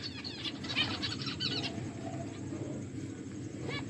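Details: Finches at their food chirp in quick high twitters during the first half, then go quieter with only a faint chirp near the end over a low hum.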